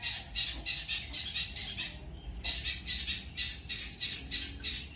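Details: Long-tailed shrike training song in pastol style with speed rolls and shot rolls. Clusters of quick, harsh, high notes in rolling bursts, one brief pause near the middle, then the rapid chatter resumes.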